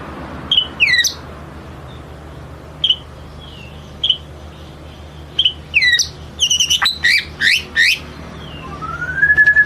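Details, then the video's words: White-rumped shama giving lure song in sparse phrases: short sharp whistled notes spaced by pauses, then a quick cluster of steep up-and-down slurs and a final long rising whistle, against a quiet background. "Kicau murai batu ngelemak | pancing murai batu bongkar isian"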